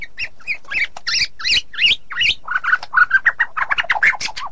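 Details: White-rumped shama song of harsh, squawky varied notes, then a fast series of lower chattering phrases.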